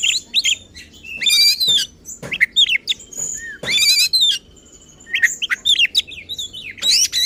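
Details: Emotional, insistent oriental magpie-robin song aimed at provoking other magpie-robins, mixing harsh broadband rasps with clear whistles, sliding notes and a long steady thin tone.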